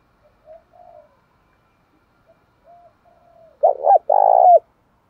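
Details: Spotted dove call meant to provoke males into fighting: a few faint soft coos at first, then a loud phrase of a double stuttered note and a long burry descending coo.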